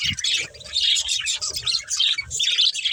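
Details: Playing budgerigars pour out loud, busy chirping, high squeaky notes and short rasps overlapping in quick succession, the chatter never pausing across the clip.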